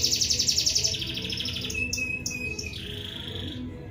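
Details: Canary singing energetically. A fast, even trill of high notes opens, followed by a clear sustained whistle and a lower drawn-out note. A steady low rumble and hum run underneath.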